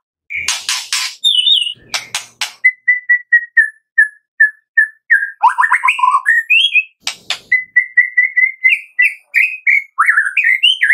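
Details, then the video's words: Morning song of a white-rumped shama, used to make captive birds sing: harsh clicks, then a long series of short evenly spaced whistled notes, with varied sliding phrases between. "Pancingan Murai Pagi WHITE-RUMPET SHAMA"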